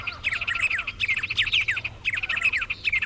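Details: Cerrado birds of Brazil singing in three distinct phrases, each a fast cluster of sharp chirps and down-slurred whistles of about a second, separated by brief gaps.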